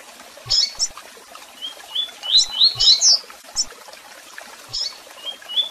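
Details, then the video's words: Double-collared seedeater singing in the tui tui style, mixed with chirps and calls: sharp high chirps followed by a series of short rising whistled notes, repeated in quick bursts, with faint clicks behind. "Canto de Coleiro Tui Tui Com Piado e Chamados!!!"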